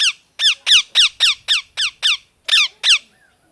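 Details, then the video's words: Indoor pet parrot, molting, uttering a fast steady string of about ten harsh downward-sliding squawks, evenly spaced roughly a quarter second apart. "Parrot Chirping Sounds | Natural Parrot Sounds | Parrot Calling Sounds"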